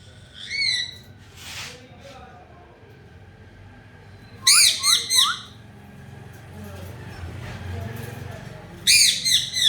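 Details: Talking pet parrot giving bursts of rapid, bright chirping squawks in clusters of three or four, separated by pauses with faint background noise.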